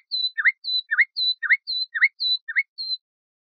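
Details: Nightingale, Luscinia megarhynchos, song segment from a tutor recording meant for the Moroccan bulbul: alternating high thin whistles and lower sharp down-up notes, about two pairs per second, six repetitions over three seconds, quiet background.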